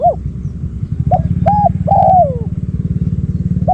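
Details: Spotted dove acting as a decoy to attract wild doves. A few coo notes, one long and falling, sound over the rapid throbbing of a nearby motorcycle engine.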